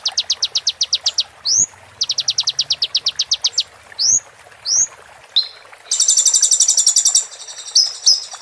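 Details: Olive-backed sunbird (konin) training song in the 'roll tembak' full-fill style for moult: fast high ticking trills with swept whistles, then a dense buzzy rattle and thin closing whistles.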